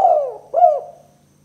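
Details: Spotted dove calling as a lure for trapping other spotted doves, in the two-note "kuk 2" style: two mellow, throaty coos, the first sliding downward and the second rising then falling, about half a second apart.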